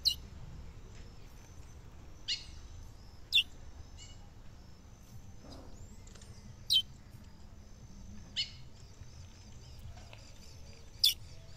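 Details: A female chestnut-bellied seed finch (curió) calls to stimulate a male, beside a river in the sertão caatinga of northeastern Brazil. She gives sharp, high single chips spaced one to three seconds apart over a low, steady hum.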